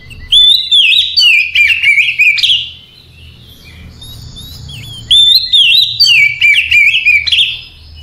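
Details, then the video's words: Oriental magpie-robin singing at night: two rich whistled phrases, each about two and a half seconds long, separated by a short pause. Each phrase starts with a clear rising whistle, then runs into fast warbling, twittering notes with sharp chips. Faint low hum in the background. "Ocehan Santai Di malam Hari Cocok Untuk Terapi Segala Jenis Kacer"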